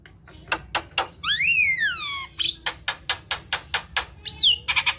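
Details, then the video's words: Javan myna in talkative song meant to prompt other mynas to sing: harsh clicking chatter around a long, loud whistle that rises then slides down, with a shorter downslurred whistle near the end. "Jalak kebo gacor | pancingan jalak kebo malas bunyi"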